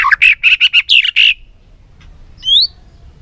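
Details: A white-rumped shama delivers a rapid string of about eight rich, clipped notes, followed after a pause by one rising whistle, from a recording used to rouse birds into song.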